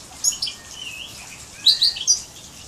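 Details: Major x canary hybrid song fragment: a few sharp high chirps, a brief sliding whistled note, then a quick cluster of bright, varied high notes.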